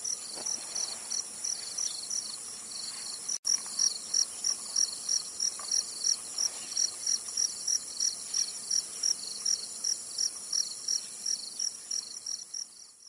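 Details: Zitting cisticola recorded in Tainan, Taiwan: sharp, high, clipped zit notes repeated steadily about three times per second for the whole stretch, over a continuous shrill insect drone, with a brief gap near the start.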